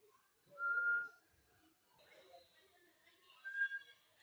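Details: Indian rose-ringed parakeet (Psittacula krameri) talking indoors: a clear, steady half-second whistle, a stretch of soft speech-like chatter, then a shorter, higher whistle.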